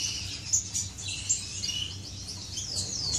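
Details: Aviary finches flirting during courtship, May 2015: rapid high-pitched tweets and short slurred notes overlap, some sweeping upward, over a faint low background hum.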